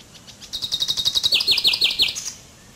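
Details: Common chaffinch singing a fast, evenly spaced run of high chips that shifts into five emphatic downslurred notes and ends with a short high flourish.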